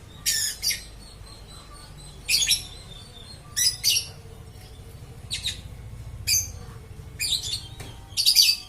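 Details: Lovebird singing without stopping: repeated harsh, high, buzzy chirps arriving roughly every second, some in double bursts, with soft low hum underneath.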